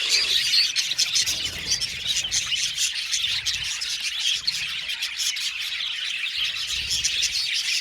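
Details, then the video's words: Many budgies in an aviary colony chattering at once, a loud, unbroken blend of high tweets, buzzy warbles and quick squeaky notes. "Budgies singing and chirping sound"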